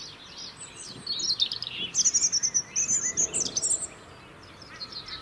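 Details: UK robin song, sung year-round to hold winter territory: high sparkling notes and a dense run of quick repeated chips near the top of its range, with a lower warble underneath and faint low rumble.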